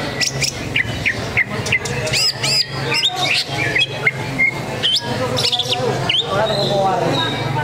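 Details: Contest greater green leafbird battling a rival and fanning its tail at an anniversary competition: bright, rapid whistles sweeping up and down, arched looping notes and short trills, set against crowd voices and a steady low drone.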